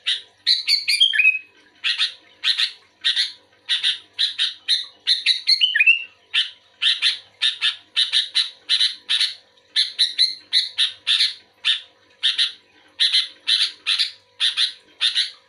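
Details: Sooty-headed bulbul answering another of its kind: after an opening falling whistled flourish, a long steady series of rapid chirpy notes, roughly two or three per second, continuing without break.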